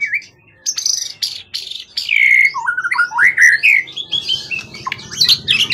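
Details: Long-kept, forest-origin contest bird with a 20 cm tail, steady and not skittish, singing strongly. It gives loud, rich whistles that swoop down and up, with quick slurred phrases and sharp clicking notes between them.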